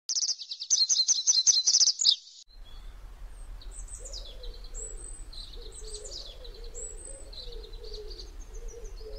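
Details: Hungry grey wagtail chicks in a nest in the recess of a canal lock gate, waiting to be fed, give a two-second burst of thin, high, rapid twittering cheeps; then come low cooing and background noise.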